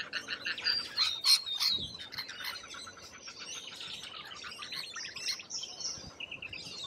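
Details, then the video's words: A gathering of lorikeets in Australia giving shrill, grating screeches and squeaky whistles, loudest in the first two seconds, then a softer ongoing chatter of overlapping calls. "Australian wildlife Lorikeet"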